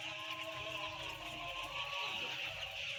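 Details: About ten thousand white chicks peep together in an unbroken, shrill wash of high cheeps over a constant low droning hum.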